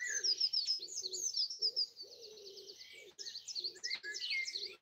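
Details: Easter Sunday 2020 dawn birdsong from trees beside a house in Broadford, Kildare, Ireland; high rapid trills and twitters over a steady series of low, soft coos repeated about twice a second.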